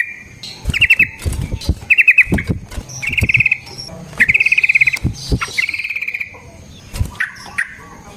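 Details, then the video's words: Sooty-headed bulbul in a long, rapid fighting song used as a lure and training master for other bulbuls. Fast ringing trills repeat in bursts between shorter chirps, over low thumping background noise. "Burung TRUCUKAN GACOR Ropel Panjang Cocok untuk PANCINGAN Trucuk bahan dan MASTERAN Burung Trucukan"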